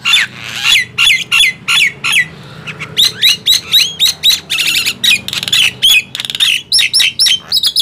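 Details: Nias hill myna and javan myna in a loud singing contest: rapid bursts of harsh squawks and bent whistles, mostly high-pitched, in short notes about every quarter second with brief pauses.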